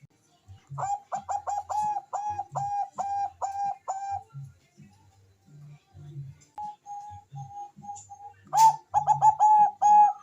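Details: Bangkok zebra dove singing sweetly, used to spur breeding and song: a long evenly paced series of clipped coos, a soft repeated note, then a loud burst, over regular low thumping.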